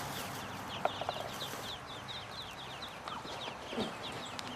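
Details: Several ducklings giving quick, high, down-slurred peeps in a busy stream, overlapping one another, against steady background noise with a few soft low clicks and thumps.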